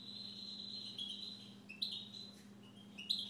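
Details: Siberian goldfinch kept as a pet, giving a high, steady whistled note that breaks into quick bright chirps near the end, with a steady low hum underneath.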